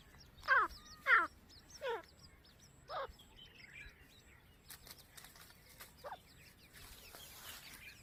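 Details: Grey francolin family with chicks: loud, hoarse, downward-slurred notes repeated about once a second, then softer calls, faint chirps and wing flutters.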